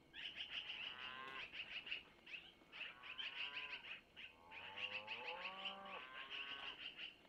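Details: Hungry long-eared owlets at a Missoula nest being fed by their mother, who took food from the male, around 5:05; dense high squeaky bursts mixed with lower wavering whine-like calls sliding up and down.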